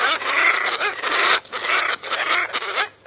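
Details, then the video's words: Scarlet ibis giving harsh, rasping, nasal calls in a dense, almost unbroken stream, with short pauses near the middle and a fade at the end; several birds appear to call together. "Sounds of scarlet ibis"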